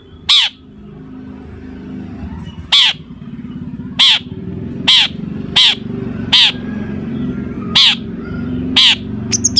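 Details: Long-tailed shrike in a mimicry-filled song played to provoke other shrikes to reply: harsh, loud, rasping notes with a dipping undertone, repeated about every second, against continuous low engine-like hum.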